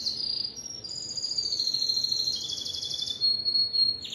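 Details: Timbrado canary song made of high, ringing, rapidly rolled tours. A long sustained trill steps up and then drops, ending in a brief buzzy burst.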